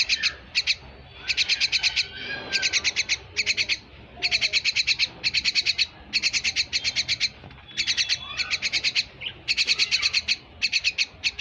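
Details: A kept myna chatters in quick trains of rasping pulses, short groups of four to ten notes following one another almost without break, with a faint thin whistle drawn out in places.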